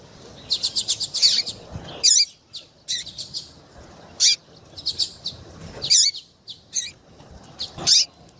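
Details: Female double-collared seedeater call meant to get a male singing: a fast run of sharp high chirps opening, then scattered single and paired chirps and brief buzzy notes at uneven intervals over a quiet background.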